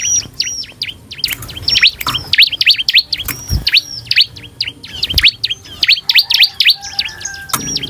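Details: Continuous lure song of a Bar-winged prinia meant to prompt other prinias to respond: quick strings of piercing high chirps rising and dipping, broken by short gaps, with a faint level whistle near the end.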